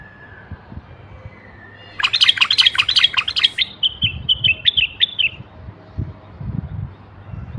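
A bulbul gives a burst of harsh, chattering notes, then a quick run of bright, clear whistles over about three seconds; low thumps and soft background noise follow.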